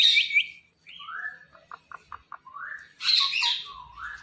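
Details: Indian ringneck parakeet, a green talking pet parrot, producing a shrill squawk, soft slurred voice-like phrases with quick clicking notes, then a harsh burst and gliding murmured syllables.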